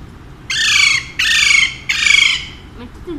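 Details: Male Alexandrine parakeet kept as a pet at home, screeching three loud, grating squawks in quick succession, each roughly half a second long, then a couple of faint softer sounds afterward.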